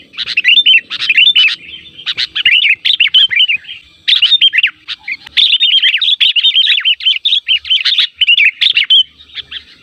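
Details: Sooty-headed bulbul (kutilang) calls used as a lure to prompt other kutilang to answer: loud runs of quick, slurred whistled notes in dense chattering bursts separated by brief pauses.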